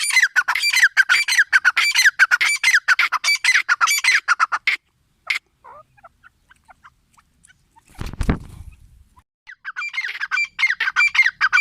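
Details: Teetar, the grey francolin, gives rapid harsh repeated calls for almost five seconds, then falls quiet apart from a low thump, and resumes its squawking series near the end.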